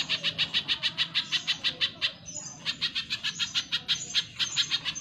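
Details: Training recording of a spiderhunter (pijantung pisang) in vigorous song for cage birds: nearly continuous harsh chipping, about four notes a second, loud and evenly spaced, with only a brief dip in the middle.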